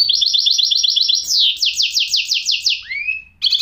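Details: Goldfinch hybrid singing: a fast run of bright repeated twittering notes, then a series of sweeping buzzy slurs at about three per second, a rising whistled note, and a final brief trill.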